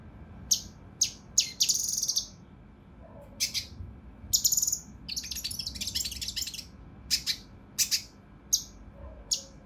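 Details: Mountain leaf warbler song in the rough, dense style used to tutor contest birds: scattered sharp, very high notes and short buzzy flourishes, separated by brief silences.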